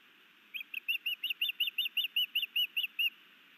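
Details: Osprey at a Hellgate Canyon nest in Missoula, Montana, where a new male sky dances and delivers a fish to his mate: a steady run of about fourteen clear whistled chirps, quick and evenly repeated.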